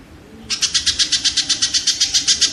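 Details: Kingfisher giving a quick run of rasping, evenly spaced notes, roughly eight per second, starting after a short quiet moment; the recording serves as training audio for caged songbirds.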